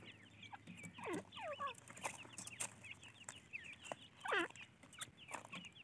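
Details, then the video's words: Young francolin chicks peeping continuously, many short high chirps sliding steeply downward, overlapping in a dense chorus with occasional louder swooping notes against a faint hum. "teetar ke bacche | teatar chicks | francoline baby"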